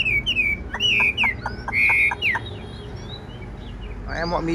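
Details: Caged, tame Chinese hwamei with a large body, fine face and blue eyes, singing as its cage is carried: clear slurred whistles falling from high notes, broken by rapid dry clicks, with faint voices and laughter nearby.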